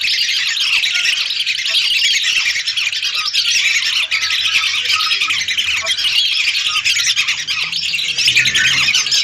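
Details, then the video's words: Hundreds of lesser whistling ducks calling together, recorded for use as a lure. A dense, steady wall of high, squeaky whistles and chatter overlaps continuously, with no pauses. "Suara burung Belibis RATUSAN untuk pikat"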